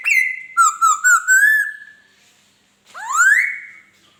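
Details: Laughingthrush song of bright whistled phrases: a high held note, a wavering series of linked whistles, then after a pause one long rising whistle. The background is otherwise silent.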